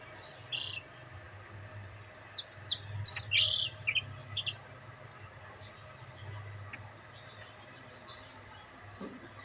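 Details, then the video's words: Black bantam chicks enjoying sunlight; a short burst of high, thin peeps clusters near the middle, with quiet stretches before and after and a low steady hum beneath. "Bantam Chicks Enjoying sunlight |Black Bantam Chicks |Chicks Chirping Sound"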